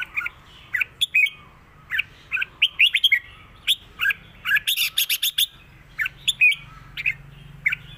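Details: Red-whiskered bulbul, a cage bird, in Thai southern-style "rik" singing: a busy stream of short whistled, warbled notes, a rapid crackling flurry at mid-clip and more sweet rising notes after, with a steady low hum.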